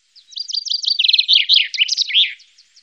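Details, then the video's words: Common chaffinch, Wittlicher Tal, 2018, singing a busy, jumbled phrase: high clipped notes, a quick lower rattle, then varied sweeping notes that rise and fall over about two seconds before fading. "Buchfink 2"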